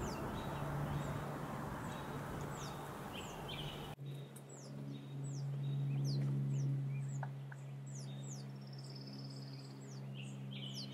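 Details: Wild turkey chicks in the Sierra foothills of California, USA: thin, high descending peeps repeated rapidly after a louder rumbling start, with a steady low hum underneath.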